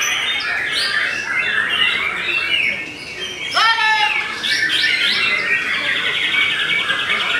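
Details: White-rumped shama of the Belanda type in stable song: bright whistled phrases, then a loud harsh downward-sliding note midway, followed by fast rattling trills and high chirps.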